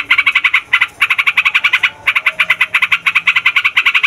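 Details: Yellow-vented bulbul singing its noisy, long 'ngeroll' roll, used to tutor young birds. Fast, even bursts of harsh notes follow one another with two short breaks, loud and close.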